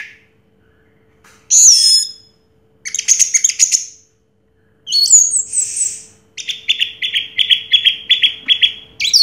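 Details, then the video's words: Orange-headed thrush, first-place contest winner of 2022, delivers separated bursts: a sweeping whistle, buzzy chattering notes, then a long run of rapid repeated mid-high chips. "Suara Burung Anis Merah Juara Pertama Tahun 2022"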